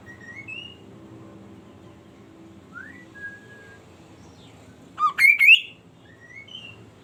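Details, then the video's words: A kaso-kaso bird singing vigorously to prompt other birds to join in: scattered clear whistled notes, some rising, and a loud jumbled burst of warbling notes midway, over a low steady hum. "kicauan burung kaso kaso gacor memacing yg lain akan ikut bunyi"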